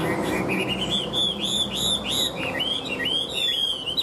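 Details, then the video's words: Chinese hwamei, a dealer's bird praised for singing nonstop like a machine with an even, warbling voice, delivers looping whistled phrases that rise and fall in quick succession over a steady low background hum. "Họa mi hót như máy - Hót ko bỏ mỏ"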